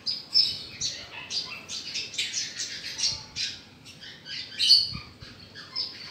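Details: Australasian bushlark (Mirafra javanica), a kept songbird, pouring out a fast, harsh, squeaky jumble of chirps and buzzy notes with a few louder accents.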